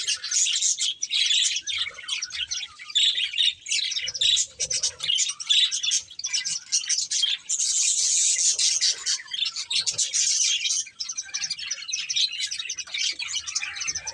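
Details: Budgerigars in a breeding pair keep up long unbroken chattering: scratchy chirps and high twitters running throughout, with a brief quieter dip near the end.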